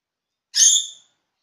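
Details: A pet rainbow lorikeet, while eating bread, gives one harsh, buzzy screech lasting about half a second, high and rasping, with silence before and after.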